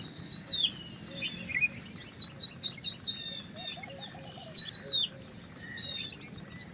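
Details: White-browed wagtail delivering lively high-pitched song: rapid series of sharp chirps, drawn-out whistles and repeated short phrases, with a faint lower twittering bird behind.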